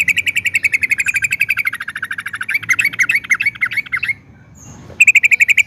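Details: Trucukan, yellow-vented bulbul, singing long ropel phrases: a rapid, even series of bright chipped notes, about nine a second, running for four seconds, a short pause, then resuming.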